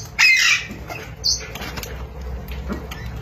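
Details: Pet Alexandrine parakeet letting out one loud, grating screech at the start, then a short harsh note and softer scratchy sounds over a steady low hum.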